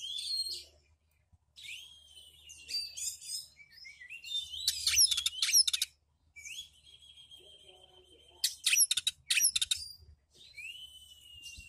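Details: Home-kept Oriental magpie-robin singing a varied song of drawn-out whistles, scratchy warbles and sudden loud rapid chatter bursts, separated by short pauses.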